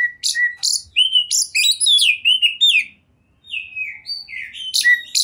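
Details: Kept oriental magpie-robin singing a varied, musical medley: sharp chips, sweet downslurred whistles and warbled phrases, with a brief pause before more clear whistles and a final burst of chips.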